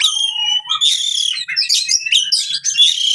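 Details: Oriental magpie-robin fighting song for birds that stopped singing: sweet whistled phrases, then loud, grating, rasping bursts delivered almost continuously.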